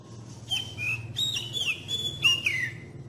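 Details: Magpie-robin lure song for young birds: a short series of clear whistles, each holding a high note, then bending or sliding downward, three phrases within a few seconds over a low steady hum.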